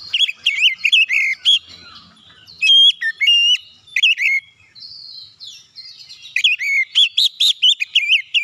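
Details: Oriental magpie-robin song used as a lure to make other magpie-robins sing quickly: rapid, varied whistled phrases, pure high notes in the middle, then a fast, energetic string of looping whistles.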